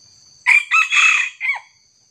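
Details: Single crow of a red junglefowl, heard during trapping with a decoy against a young wild junglefowl: a brief, raucous crow in four bursts, the long middle phrase held before a short cut-off ending, with constant shrill insect noise behind.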